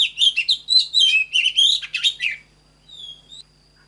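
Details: Oriental magpie-robin song meant for training caged birds: quick medley of bright whistles and scratchy notes lasting about two and a half seconds, then quiet with one faint, thin whistle at the end.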